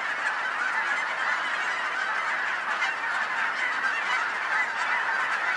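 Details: Gazillions of geese in a Colorado neighborhood flock keep up a thick wall of honking, individual nasal calls poking out briefly above a continuous blended chorus.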